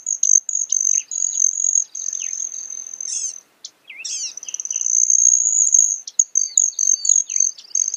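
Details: Broad-tailed hummingbird giving a sustained, very high metallic whine that runs almost unbroken. Quick sharp chips and a few squeaky downslurred notes are mixed in, with a short silent gap midway. Clean recording.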